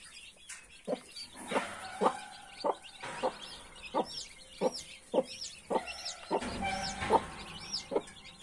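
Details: A hen with her 31 freshly hatched chicks clucks softly in a regular rhythm, some clucks drawn out, as many chicks peep in high, arching whistles around her.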